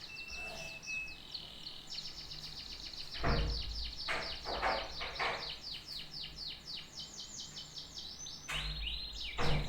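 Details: Canary singing a long varied song: rapid trills of repeated sweeping notes, a short whistled tone near the start, buzzy rolls in the middle, and a few louder low thumps of handling or background noise.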